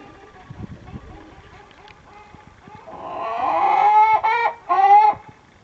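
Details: Orpington hen about to go to the nest to lay an egg: quiet background for three seconds, then a rising, swelling harmonic call followed by two loud drawn-out notes.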